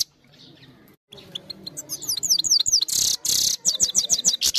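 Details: Trained goldfinch song captured on a phone: after a short pause, fast high twittering bursts and repeated swooping notes, some harsh buzzy segments, over faint low-frequency background noise.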